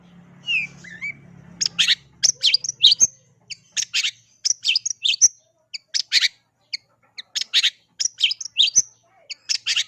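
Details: Long-tailed shrike, gacor singing: after a brief whistle over low hum, close-packed bursts of harsh scratchy notes and high squeaks keep coming for nearly ten seconds.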